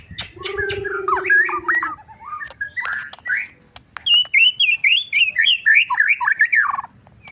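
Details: Agitated white-rumped shama in song: a varied run of whistled and slurred notes, joined in the first two seconds by a low, steady, hooting tone. A burst of quick, bright, rising-and-falling notes, repeated several times a second, follows and fades out.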